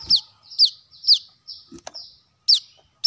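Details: Brown-throated sunbird used as a lure for birds: loud, piercing notes falling steeply in pitch, repeated about twice a second, with a short break and a faint knock midway.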